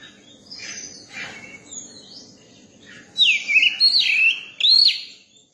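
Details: Caged, newly caught Oriental magpie-robin being tamed to people opens with soft scratchy twitters, then delivers loud, looping whistles that dip and rise, ending in a high arched note.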